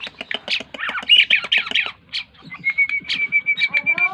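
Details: Tame Asian pied starling (Gracupica contra), whose song is used as a lure to get other birds singing, gives a busy run of harsh squawks and chattering notes, then a long steady whistle with short rising chirps.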